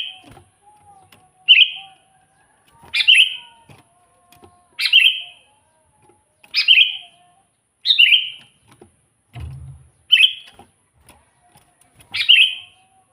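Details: Vigorous sooty-headed bulbul song for luring wild bulbuls: about eight brief, bright chirpy phrases in steady succession, roughly every one and a half seconds, with one dull low thud midway.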